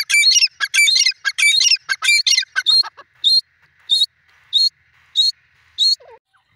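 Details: Grey francolin, locally called dakhni teetar, giving loud, high, ringing calls: a rapid run of about eight harmonic notes, then five evenly spaced single whistled notes roughly every 0.6 seconds, in otherwise quiet surroundings.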